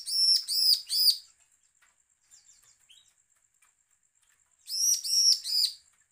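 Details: A bar-winged prinia calls threateningly, a sound used to lure other birds into answering. Three buzzy arched notes, a quiet gap with faint twitters, then another trio of the same harsh notes.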